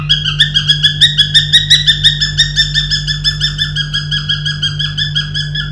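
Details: Pet cockatiel indoors in a small room, described as having started to learn tunes, sings a fast run of bright whistled notes, about three per second, steady and evenly spaced, over a constant low electrical hum.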